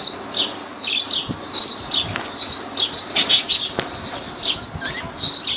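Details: Lovebirds at Laylan, Kirkuk, Iraq, giving shrill, high chirps in quick uneven bursts that run almost without pause for about five seconds over a faint steady hum.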